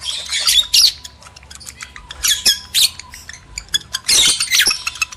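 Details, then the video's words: Arousal chatter of male and female lovebirds: shrill squeaky squawks in spaced bursts, softer chirps between, strongest flurries at the start, middle and end. "PANCINGAN JEBOL BIRAHI BUNYI, BIKIN EMOSI LOVEBIRD JANTAN DAN BETINA"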